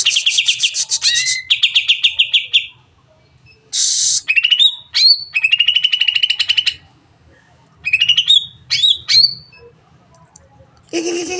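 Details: Greater green leafbird singing long to stir other birds into song: buzzy rapid trills, quick upswept whistles and harsh scratchy bursts in phrases separated by short pauses, over a faint low hum.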